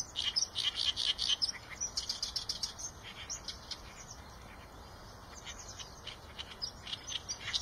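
Eurasian tree sparrows chirping in quick, high, bright bursts, loudest in the first three seconds, then fainter and scattered against a steady hiss.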